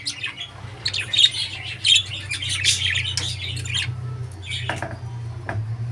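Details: Budgerigar chirping indoors in uneven bursts of high, harsh twittering notes that fade toward the end, a low constant hum in the room behind.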